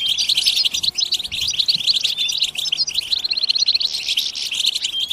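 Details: European goldfinches in a group batbata chorus meant to excite other goldfinches to sing: bright, rapid overlapping chirps and short whistled slurs pouring out without pause.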